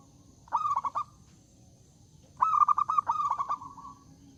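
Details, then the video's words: Zebra dove singing loudly to invite rivals to sing: two bursts of rapid, rolling, trilled cooing notes, one short and one longer, over a low background rumble and a faint steady high whine. "Suara Burung Perkutut Gacor Suara Besar Mengundang Lawan Bunyi"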